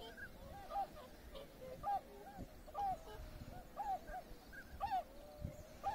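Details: Tundra swan flock wintering on the Abukuma River floodplain, Japan, in January 2021, with many ducks nearby; several birds give soft nasal honks that overlap and recur about once a second over a steady low rumble.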